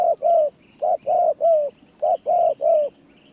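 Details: Spotted dove taken out for perch experience as a decoy bird: loud, mellow coo notes in quick groups, each short and slightly falling, about eight notes in three seconds, with a steady high whine behind.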